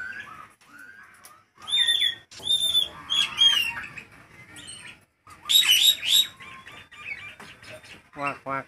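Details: Hot-weather lure singing from a vocal Nias hill myna: scattered whistles and a quiet gap, then loud clusters of shrill downslurred notes, a bright rising trill and a final buzzy rattle.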